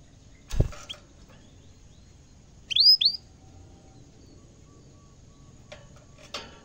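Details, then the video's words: Caged canary singing energetically on first seeing a camera: two loud rising whistled notes in quick succession, framed by sharp clicks and taps from the cage. "kenari gacor bikin geleng geleng kepala reaksi kenari saat pertama kali lihat camera dalam sangkar"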